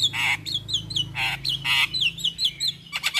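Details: Javan myna (jalak kebo) singing: quick descending whistled notes interleaved with loud harsh rasps, repeated rapidly, over a faint low hum.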